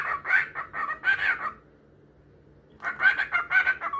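A cockatiel sings bursts of chattering, warbled whistles that rise and fall, with a brief pause between phrases.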